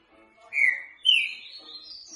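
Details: Green-winged saltator in boca mole song, for training: two clear downslurred whistles followed by a thin, rising drawn-out high note.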